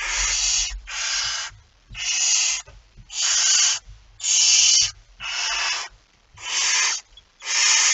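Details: Barn owl with a mouse, 17 September 2019 at 01:49, delivering a run of eight harsh hiss bursts in eight seconds, about one per second, each short and noisy, with soft low rustles between.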